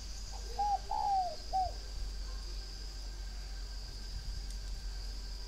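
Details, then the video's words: One short coo phrase from a spotted dove at a breeding farm outside Hanoi, Vietnam: a quick note, a long falling croon, then a short tail note. Low rumbling and a steady high hum continue through the silence after it. "chim cu gáy hay miền bắc"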